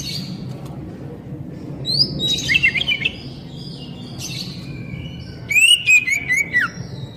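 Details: Oriental magpie-robin (kacer) poci song for stimulating captive wild-caught birds to sing; scattered high twisting whistled phrases over a steady low hum, with a louder run of quick descending notes near the end.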